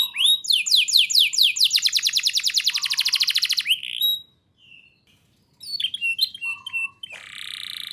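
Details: Lure song of a canary for teaching young birds to sing: loud rapid trills of repeated sweeping notes for about four seconds, then brief scattered chirps, a short gap and a harsh buzzy phrase.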